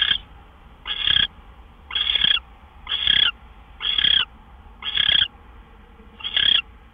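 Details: Owls at their nest just past midnight on March 26, 2013, with prey gophers arriving. Seven breathy, screechy hisses follow at about one-second intervals, each fairly even in length.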